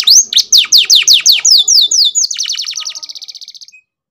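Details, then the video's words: Bred F1 canary singing: clear descending slurred whistles about four per second, speeding into a quicker, softer high trill that fades out. "KENARI F1 MEMANG KEREN"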